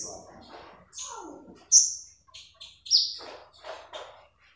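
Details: Magpie robin singing actively, used as a lure and master recording for training birds: clear high whistles, some slurred downward, separated by softer rasping notes and brief pauses.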